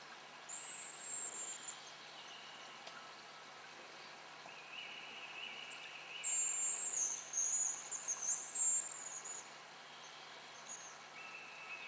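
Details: Hazel grouse at a spring lek on the Yenisei Ridge, Russia: very high, thin drawn-out whistles, one early and a longer wavering run near the end, with lower buzzy notes from another bird between and a steady background hiss.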